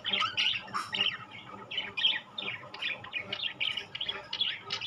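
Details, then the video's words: Budgerigars of rainbow and classic varieties chatter in short, bright, chirping bursts, about two to three per second, some notes rising and falling, with a soft background hum. "বাজরিগার পাখি"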